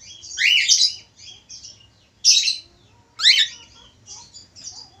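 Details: Budgerigar male in full active song, giving loud scratchy chirps with rising and falling sweeps in three strong bursts, linked by softer chattering twitters over a faint low background hum.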